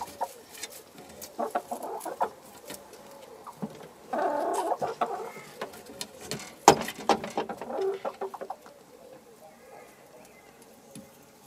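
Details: Chickens in a henhouse through the day, with scattered clucks and short squawks, a brief louder noisy burst, and knocks and clatter in the background.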